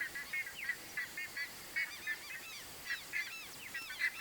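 Buff-necked ibis giving loud, nasal, honking calls in quick irregular bursts, several overlapping as if from more than one bird.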